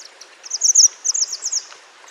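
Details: Wild mountain white-eye used as a master song for training birds: a quick, very high trill of repeated bright notes in two short bursts, over faint hiss.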